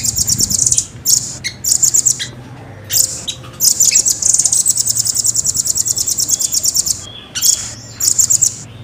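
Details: Velvet-fronted nuthatch (rambatan) in clear song: short high chip bursts building into a long, tightly spaced rolling trill lasting about four seconds.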